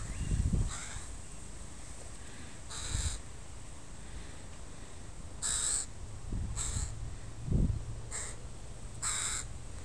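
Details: Crows of a family with young birds in a park, calling repeatedly: a series of harsh caws spaced about a second or more apart, with low thumping and rustling sounds between and steady background rumble.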